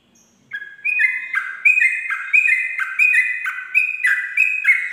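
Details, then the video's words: Sooty-headed bulbul singing 'ropel' at dawn for training birds: begins after half a second, then a fast run of alternating high and low whistled notes continues without pause to the end. "pancingan trucuk ropel subuh"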